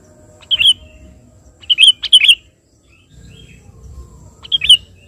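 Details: Sooty-headed bulbul singing energetically to call a rival. Clear whistled, slightly slurred notes come in brief bursts, first a single phrase, then a double one, then a pause and another phrase, over a soft low background hum.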